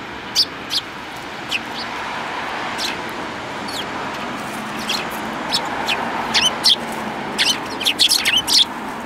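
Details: Sparrows, including one with a yellow beak, recorded on 29 January 2018: short high chirps scattered through the clip that grow busier toward the end, over a steady broadband hiss of background noise.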